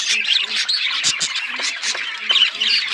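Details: Budgies chattering in chirping, talking style: rapid, overlapping scratchy squawks and short chirps with harsh, buzzy notes, densely packed and steady in loudness throughout.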